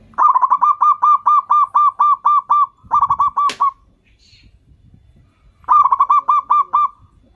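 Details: Local zebra dove calling to lure and set off other doves: bursts of rapid, evenly repeated staccato cooing notes, about a dozen per burst, with a short burst and a pause between them.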